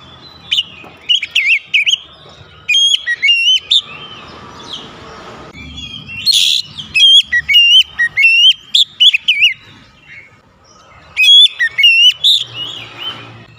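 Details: Long aggressive lure song of an oriental magpie-robin, with many loud whistled phrases in rapid groups, sharp upslurs and warbles repeated through the recording, punctuated by a harsh rasping note and low background rumble.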